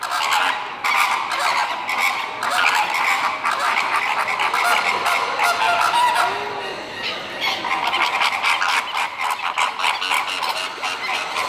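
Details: Greater flamingos calling as a flock: dense, overlapping goose-like honks and nasal gabbling run loud and steady throughout, with no clear pauses.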